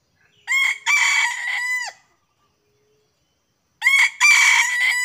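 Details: Junglefowl crowing as hunters lure wild birds, two of which approach: two strong crows about three seconds apart. Each has a stuttering start, a rasping middle and a clipped, falling finish, with silence between them.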